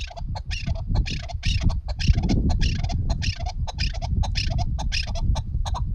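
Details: Hunting chukar partridge giving rapid, rattling clucks in a steady quick run, each note short and bright, over strong low-pitched rumble and background noise.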